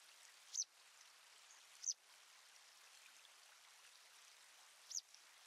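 Citrine wagtail giving three brief, high, thin call notes at irregular intervals over a steady rush of flowing water.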